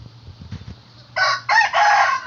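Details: Rooster heard at dawn giving a hoarse cock-a-doodle-doo that starts after a second of quiet murmuring. There is a short first note, then two longer, rough, ringing syllables that end abruptly.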